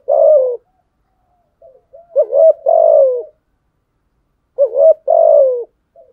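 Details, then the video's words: Spotted dove calling to provoke rivals with steady phrases. A short upturned coo is followed by a longer falling coo, with faint quiet notes between phrases and nothing else heard. "Thúc gù chim cu gáy bài bản nhất hiện nay. gù thúc bài bản, kích bổi rất riêng gáy, cu đất gù đấu"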